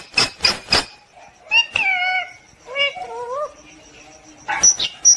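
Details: Pet parrot talking, with harmonic speech-like syllables that rise and fall, mixed with sharp noisy bursts at the start and end.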